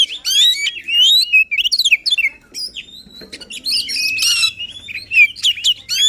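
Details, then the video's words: Energetic, emotional song of an Oriental magpie-robin, played to encourage a lazy bird to sing: bright rising and falling whistles, rattling trills and buzzy chatter in quick bursts, with a brief lull in the middle. "Kacer Gacor Full Emosi, cocok untuk mendongkrak Kacer yang malas bunyi."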